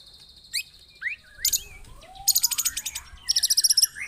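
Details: Lure song of a white-rumped shama meant to provoke other birds: sharp isolated high notes and whistles, then two bursts of rapid, harsh, very high rattling notes.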